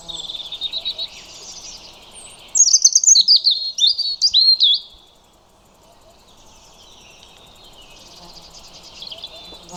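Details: European robin singing: a loud burst of thin, high, rapidly changing whistles and trills lasting about two seconds, with fainter high warbling phrases before and after and a soft low background murmur.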